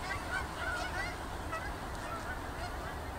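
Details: Geese flying over at evening after leaving a field, heading to Boulder Reservoir on their nightly route; a flock gives many short overlapping honks, scattered and irregular, over a steady low rumble of background noise.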